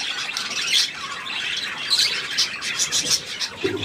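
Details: Budgerigars, including green birds and one awaiting pickup by a new owner, keep up steady overlapping chirping and scratchy warbles, ending with a man's voice.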